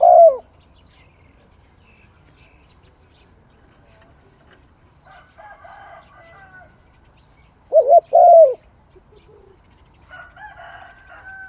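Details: Spotted dove coos, a trailing note at the start and a full double-noted coo phrase midway, with short bursts of other higher bird calls in between and afterwards.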